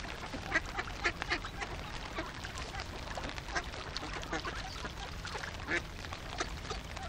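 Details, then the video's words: About fifty hungry ducks calling together: a dense, continuous chorus of overlapping quacks and nasal calls with steady background noise. "50 голодных уток"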